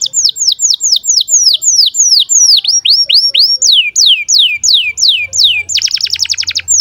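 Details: Breeding-condition canary chirps used as tutor song for young canaries: a long series of loud down-slurred whistled notes, some rising then falling, ending in a harsh buzzy trill.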